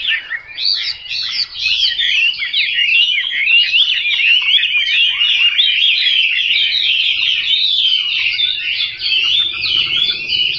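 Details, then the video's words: Chinese hwamei in sustained, dense, loud song: a long unbroken torrent of swooping whistles and warbles. "Họa mi mộc"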